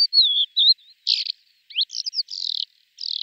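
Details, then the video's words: Lesser short-toed lark male in flight, dry steppe and semi-desert species, giving calls and song that may include mimicry: varied high chirps, slurred descending whistles and short buzzy notes with brief pauses; clean background. "Крики и песня самца в полете, включая подражание"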